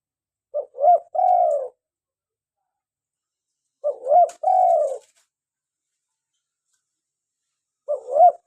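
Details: Lure recording of a lively local spotted dove, meant to draw wild doves and set captive ones calling. Three repeated coo phrases, about 3.5 seconds apart, each a brief double note and a longer mellow coo, in quiet surroundings.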